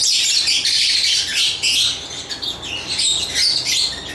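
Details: Continuous high-pitched lovebird chatter, a rapid tumble of thin squeaks and tweets overlapping with hardly a pause throughout.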